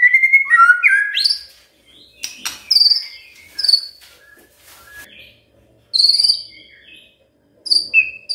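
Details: Magpie-robin song meant to stimulate a quiet bird: opening whistled slurs, then scattered high thin chirps and clicks separated by short gaps.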